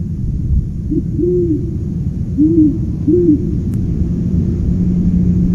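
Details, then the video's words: Owl calling three soft, low, arched hoots spaced about a second apart, with a brief click and continuous low rumbling background noise. "Paging Mr T"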